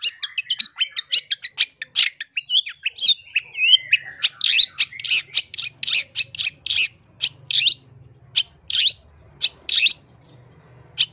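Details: Long-tailed shrike from Indonesia in a master recording for training or luring birds: busy, varied chatter with a gliding whistle, then a long run of loud, harsh, evenly spaced notes, a faint low hum behind.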